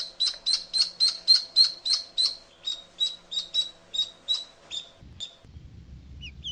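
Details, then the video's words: A duckling crying gives loud, high, piercing 'chip' peeps, about three or four each second, for roughly five seconds, then falls silent, leaving low rumbling noise. "little duck chip chip - duck crying sound"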